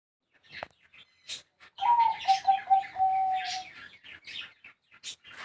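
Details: Zebra dove of the high, small-voiced song style from Bayo, Yala province, Thailand, giving a stuttering run of short coos that settles into a long level note, amid sharp chirps and clicks from other birds.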